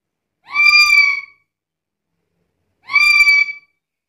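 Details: Chatty black-capped lory: two long, raspy, nasal squawks spaced about two and a half seconds apart, clear against silence.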